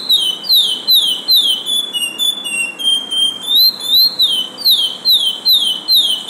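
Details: Caged lesser seed finch (curió) in an arejador, whistling pure, ringing notes that sweep down in fast repeated pairs about twice a second, with a brief steadier whistled stretch midway through.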